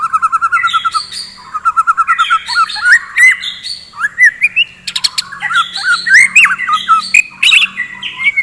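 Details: White-rumped shama in full morning song, kept as a fighting bird: rich run of whistled, warbling phrases, rapid repeated notes and sweeping slurs, loud and continuous with sharp chattering accents.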